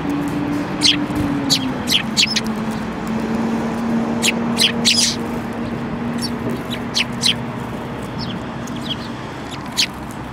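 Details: Many sparrows, among them one with a yellow beak, 5 February 2018: frequent sharp chirps scattered throughout, over a steady low droning tone and broad background noise.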